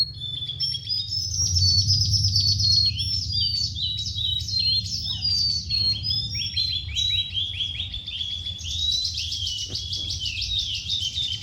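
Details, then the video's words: Oriental skylark singing a long varied high warble of quick slurred chirps, whistles and buzzy trills, over a low background hum. "BURUNG SANMA ORIENTAL SKY LARK ISTIMEWA"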